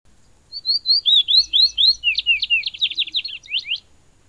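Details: Morelet's seedeater song: a fast, clear run of about twenty high, sweet upslurred and downslurred whistled notes, delivered in a steady chattering series over three seconds in a quiet setting.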